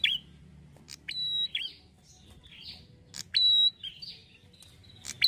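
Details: Red-headed prinia used as a lure for other prinias: ticking chirps and two loud shrill level whistles with clicks between, separated by quieter downslurred notes.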